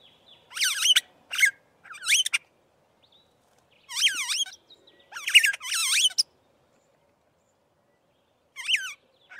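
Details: Aplonis starling giving bright whistled notes that sweep down and up, in short bursts and pairs separated by pauses, with a last note near the end against a quiet background.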